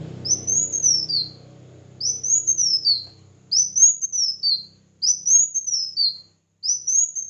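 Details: Red-whiskered bulbul competitive singing, five arching whistled phrases repeated every one to one and a half seconds, with low background music or droning noise during the first three seconds.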